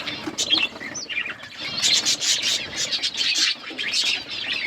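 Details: Budgerigars, multicoloured, chatter in a busy flock: rapid high chirps and a short rising whistle early on, then thick warbling waves of scratchy tweets.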